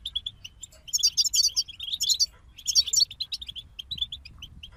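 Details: Several European goldfinches sing together, with clipped chirps followed by quick, jangling twittered phrases that rise and fall twice, then scattered high tweets.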